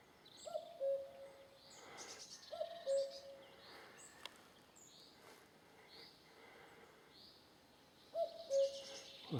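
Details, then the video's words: A common cuckoo, fairly close and loud, gives clear, falling two-note 'cuck-oo' calls in woodland during a walk, with higher bird chirps and rustling footsteps behind. "there's a cuckoo around here somewhere. You can hear it cuckooing away."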